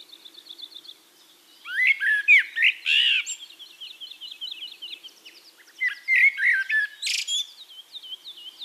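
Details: Singing Eurasian blackbird recorded in Castricum, the Netherlands. Soft, thin, high twitters open the passage, followed by rich fluted warbling phrases, a quieter twittering stretch, then another mellow burst of whistled notes with a sharp high flourish.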